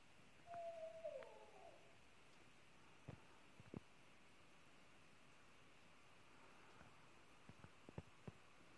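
An owl gives a single mid-pitched hoot lasting under a second, slightly falling at the end, followed by scattered soft clicks and taps.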